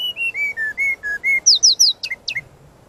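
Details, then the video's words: Brown-chested jungle flycatcher singing master song for training: six evenly spaced flat whistles alternating in pitch, then three loud high downslurred notes, and two quick chirps fading out. "Suara Pancingan dan Masteran burung Srdc gacor full isian"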